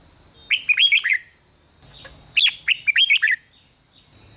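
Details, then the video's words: Red-whiskered bulbul from Thailand giving rik song meant to rouse other birds. Two bubbly phrases of rapid, rising and falling whistles come about two seconds apart over a constant thin electronic tone. "เสียงนกกรงหัวจุก ร้อง ริก ยั้วให้นกคึกดีมาก"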